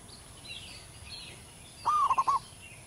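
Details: Single song phrase from a wild local zebra dove with a big voice: a short rising coo breaking into four quick beats, over steady outdoor hiss and faint chirps.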